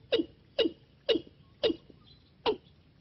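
Watercock giving five short, hollow, downward-dropping notes, about two per second, with a brief pause before the last. The background is quiet.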